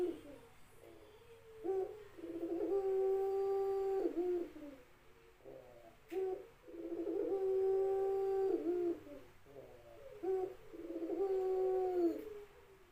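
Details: Ringneck dove singing three repeated phrases roughly four seconds apart. Each begins with quick, broken, rolling notes and flows into a sustained, even, low coo that ends with a small downward slur.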